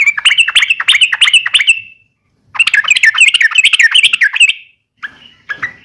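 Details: Fighting call of a yellow-vented bulbul, uplik tarung style, used to provoke rival bulbuls into replying. Two long runs of quick, bouncing, liquid chirps, each about two seconds, then a couple of brief clipped notes.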